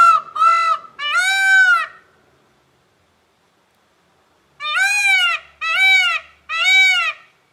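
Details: Peacock yelling loudly: three harsh, nasal, rising-then-falling screams in quick succession, a silent pause of about two and a half seconds, then another run of three matching wails.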